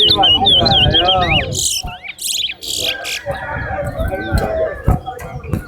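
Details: Towa-towa seed-finch in a singing competition at Lusignan bird ground sings rapid, twittering whistled phrases, warbling up and down in pitch, while a crowd talks, counts aloud and music plays.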